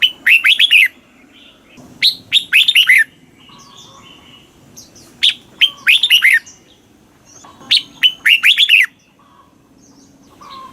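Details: Red-whiskered bulbul song in the southern Thai master-phrase style, played to excite caged birds and teach young birds: loud, rich whistled phrases of five or six rapid notes, each sliding down, repeated about every three seconds with faint background birds.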